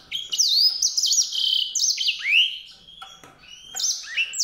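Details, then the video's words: Song of a white-rumped seedeater: a lively chain of high, canary-like phrases mixing steady whistles with quick upward and downward slurs. The singing drops briefly after three seconds, then resumes. "song canário-de-sobrebranco, Weißbürzelgirlitz, Edelzanger, kanárik sivý, zvonohlík šedý, greysinger"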